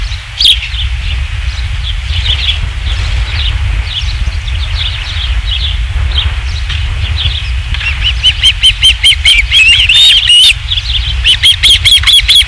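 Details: Osprey at a nest at Dunrovin Ranch on 27 July 2016, around a third fish delivery: soft scattered chirps at first, then a loud run of clipped, whistled piping notes in quick series, with steady low wind rumble.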